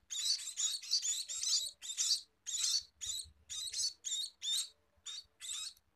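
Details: Scaly-breasted munia begging to be fed: harsh, high, hissy chirps in short bursts, about two each second, some spaced by brief pauses, with faint low thumps beneath.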